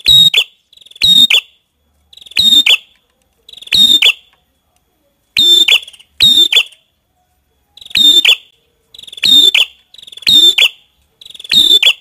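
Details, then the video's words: Prenjak kepala merah, a prinia, singing a loud, high-pitched phrase. Each phrase is a short ticking lead-in and then a harsh, buzzy burst. Phrases repeat roughly every second with brief gaps. No other sounds are heard. "Suara Burung | Prenjak Kepala Merah"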